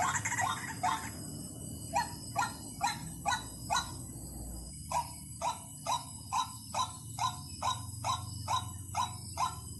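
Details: White-breasted waterhen call played as a lure: harsh, clipped croaking notes repeated a little over twice a second, a brief pause near the middle, opening with a noisy burst, over a constant low electrical hum and thin high whine.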